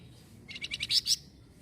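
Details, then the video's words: Flamboyan bird, said to answer noise immediately, utters a single quick series of about six buzzy, rattling pulses that grow louder toward the end, with low background hum. "KALO ADA SUARA BERISIK BURUNG FLAMBOYAN INI LANGSUNG NYAUT"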